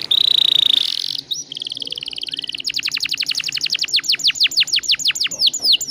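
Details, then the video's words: Canary singing a long rolling song, used as a lure to prompt other canaries to sing: a steady high buzzy trill, a short break, then a rapid series of falling whistled sweeps repeated about three times per second. "PANCINGAN KENARI GACOR NGEROLL PANJANG"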